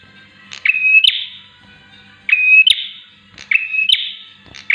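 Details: Javan (bar-winged) prinia, offered as a master or lure sound, sings in quick buzzy bursts with a thin high whistled note, repeating every second or so over a faint low hum.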